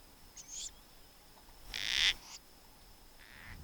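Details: Marsh Owl from a family of two adults and three chicks in open grassland in the Masai Mara, Kenya, giving harsh, rasping hisses in three or four short bursts, the loudest a second after the first, over a faint steady high whine.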